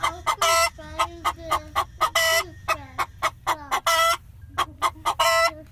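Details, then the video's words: A hen cackles in a henhouse on a poultry farm: loud, harsh, rapid clucks in uneven bursts, several long rasping squawks among them, and a steady low hum in the background. "Som da Galinha - Galinha Cacarejando - [Chicken Noise]"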